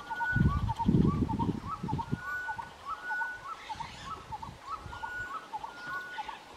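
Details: One of two Southern red-billed hornbills foraging in elephant dung gives a steady run of hollow, mid-pitched clucks, about two each second, while low rumbling wind or handling noise fills the opening seconds.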